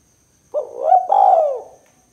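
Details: Spotted dove, 'kuk 2' call for luring birds: a brief hoarse upslurred note, then a longer purring coo that arches and drops, about one second in all, over a faint steady high hiss.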